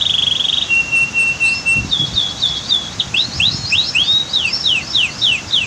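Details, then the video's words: Canary singing amid waterfall and dam sounds: a short buzzy trill and a level whistle, then a lively stream of rapid, repeated, swooping high notes, with rushing water audible low in the background. "Masteran Kicau KENARI Terbaru 2022"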